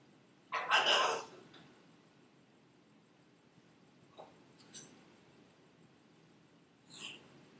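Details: Captive female Buffon's macaw kept as a pet: one loud, harsh, rasping squawk lasting about half a second, followed by quiet room tone with a few faint clicks and a short soft note near the end.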